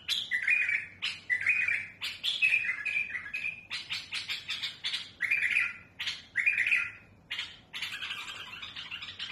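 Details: Trained bulbul (mutawwa'a) with a smooth yet harsh, powerful voice, kept to teach young birds their song; rich warbled and whistled phrases about a second long, repeated with short pauses, some buzzy and harsh, with a quiet background.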